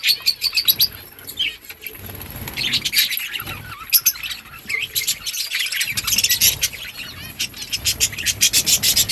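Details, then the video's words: Many breeding budgerigars chattering together: rapid high chirps, rasping warbles and quick repeated clicks in bursts, busiest after six seconds. "Budgies parrot chirping sounds parakeet sounds"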